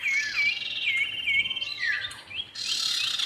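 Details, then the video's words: Male and female common iora for luring: four quick looped whistles about every half second, then a falling slurred note and a burst of harsh high noise. "pikat burung cipow jantan dan betina"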